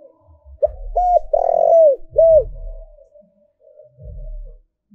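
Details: Spotted dove used as a lure for wild doves delivers a cooing phrase: a short note, an arched coo, a long burring coo and a clear arched close, followed by a soft low hum and knocking.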